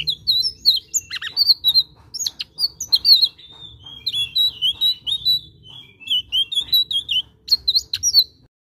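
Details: Blue-eared kingfisher in full song, a long, steady series of sharp, high whistled notes and quick slurs in short phrases, nearly continuous for eight seconds, with a faint low hum underneath.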